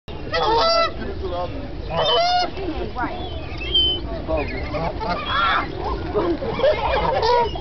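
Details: Canada goose near Lake Merritt, Oakland, California, giving loud, nasal, broken honks in uneven bursts every second or two over a low rumble; the recordist was making faces at it, which may have prompted the honking.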